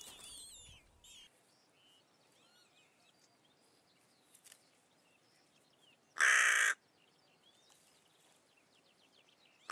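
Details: At a Russian forest edge, a hooded crow (Corvus cornix) gives one loud, harsh, hoarse caw about half a second long, while thin, high whistled songs of small birds carry faintly in the background.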